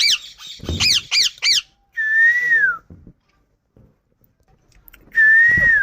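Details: Indian ring-necked parakeet uttering four quick harsh squawks, followed by a long steady whistled note that falls at the end. The whistle is repeated after a pause, and faint room noise fills the gaps.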